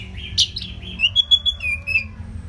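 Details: Orange-headed thrush in nonstop song used to train contest birds: a thin sliding whistle, a sharp high note, then a run of clear, steady whistled notes at varied pitch, with soft background hum.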